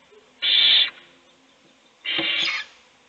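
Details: Two rasping, hissed bursts, each about half a second long and a second and a half apart, from an owl nest box during feeding of a chick while its siblings sleep.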